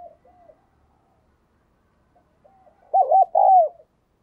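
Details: A spotted dove used as a decoy coos to attract wild doves. Soft, faint cooing opens the passage, then near the end comes a loud phrase of two short hooped notes and a longer falling coo.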